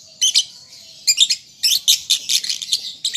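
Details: Lovebird youngster practising song as a lure for pet birds: dense, fast, scratchy chattering in tight clusters of two or three high chirps, with a brief gap before the longest run.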